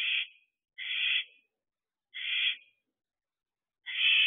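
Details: Fourteen-week-old barn owl owlets at a nest box during the season they begin to disperse, making four harsh, breathy hissing screeches, each about half a second long, in an otherwise silent night.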